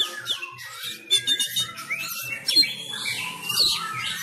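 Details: Fighting-style song of a Sumatran kacer (Oriental magpie-robin), trained at home during Covid-19 restrictions: a dense jumble of sliding whistles, chirps and scratchy trills, with a low pulsing background.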